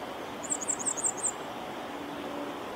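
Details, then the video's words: Grey wagtail song at Viersels Gebroekt on 2 April 2021: a quick run of six or seven very high, sharp, ticking notes lasting under a second, over a steady rushing background like flowing water. "Luister hier naar de zang van de grote gele kwikstaart"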